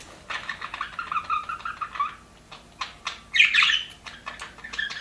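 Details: A happy budgerigar in an aviary warbles a two-second run of buzzy, wavering notes, followed by scattered clicks and then a bright burst of squeaky chirps.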